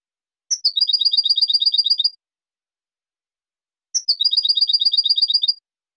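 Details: European goldfinch singing two bursts of rapid, evenly repeated high chirping notes, each phrase about 1.5 seconds long and opened by a sharp higher note, separated by nearly two seconds of silence.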